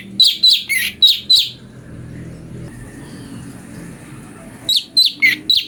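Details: Brown-breasted bulbul song recorded as a training master for magpie-robins: a quick run of five sharp, chirpy notes, then a pause with low background hum, then four more bright chirps.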